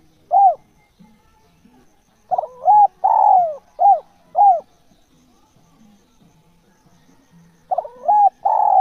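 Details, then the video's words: Spotted dove, described as natural and calling vigorously: clear, low, rounded coos in short bursts of two or three notes, separated by quiet gaps of a second or more, with faint soft sounds in the background. "SUARA TEKUKUR GACOR JOSSS AMPUH TEKUKUR ALAMI"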